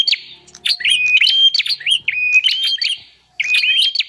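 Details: Lure recording of a bar-winged prinia, meant to draw wild prinias in: rapid clicking chirps and level whistled notes run together in a busy stream, then a brief gap before the phrase resumes.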